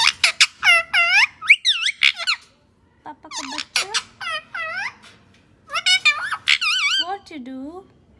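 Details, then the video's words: Pet parrot talking, mimicking a voice in bursts of bright whistled, wavering syllables that rise and fall, repeating words like papa, grouped in three phrases with short pauses between them. "Parrot sound ❤️I love you 😘"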